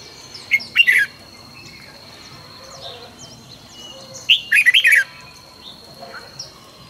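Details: Morning song of a red-whiskered bulbul, used for song training, 2020: two short bursts of rich, tumbling whistled phrases separated by a pause, with faint distant chirps and a continuous thin high tone behind.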